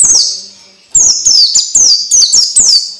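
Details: Orange-headed thrush tutor song meant to get young birds singing fast and often: a lone sharp downslurred whistle, then after a pause a rapid run of five bright descending whistled notes.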